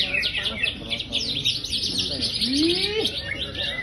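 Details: Greater green leafbird, a prized champion songbird of the Indonesian bird-keeping hobby, singing with high intensity: a dense, fast stream of varied chirps and twittering notes, with rising and falling whistled slides below and faint voices in the background.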